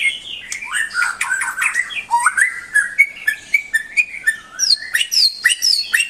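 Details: White-rumped shama pouring out a fast, varied song of whistled slurs, chirps and rattles, ending with high rising sweeps repeated several times; a low hum lies beneath.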